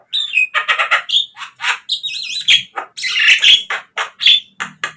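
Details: Javan myna singing, played as a lure so caged birds start singing: dense, varied mix of rasping chatter, wavering whistles and squeaky high notes, nearly continuous for five seconds.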